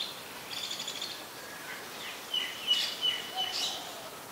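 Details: White-vented myna recorded in Ubon Ratchathani, Thailand, on 4 January 2021: a buzzy, harmonic chattering burst early on, then a run of sharp, high chirps and short whistled notes in quick succession, over soft rural background noise.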